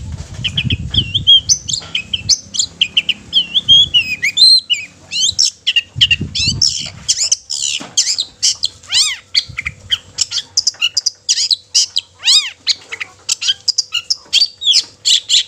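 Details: Long-tailed shrike song used to make other shrikes sing and grow agitated: a long, busy medley of chattering notes, sharp chips and down-slurred whistles, with occasional low thumps.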